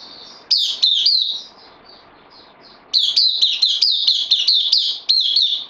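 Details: Recorded 12 September 2020, a newcomer bulbul on loan in a cage gives three sharp slurred notes with soft trailing whistles, a pause, then a dense burst of about eight quick, high, bouncing chirps.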